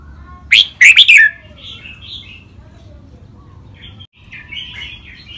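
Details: Red-whiskered bulbul practising competition song styles (rik, double, lakwai, mae bot): a loud cluster of three rapid, bright whistled notes at the start, followed by soft, wavering warbles and a brief pause.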